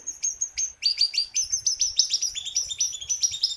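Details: Jungle babbler singing actively, a recording used to train caged songbirds: rapid series of high, sharply descending chirps, several per second, with brief clear whistled notes and faint low background rumble.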